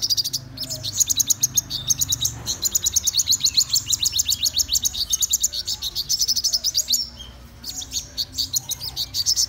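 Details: Black-throated sunbird singing in the morning: a long, fast run of high, thin ticking notes repeated several times a second, with a short pause near seven seconds and faint low background hum.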